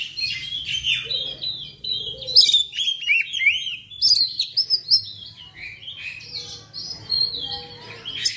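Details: Black magpie-robin, known locally as kacer, singing a varied, energetic song of slurred whistles, downward sweeps and harsh chattering notes in rapid succession, with a faint low hum underneath; meant to make pet birds sing along.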